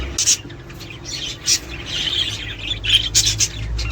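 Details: Budgerigar chatter for encouraging mating and egg production: sharp high chirps separated by short gaps, then a buzzy warbled phrase and a few bright squeaks at the end.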